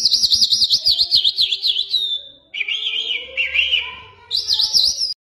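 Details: Jal, a Mashadi lark of Iran, opening with fast up-and-down zigzag trilling, then a lower run of rapid chirps, and closing with the zigzag trill again.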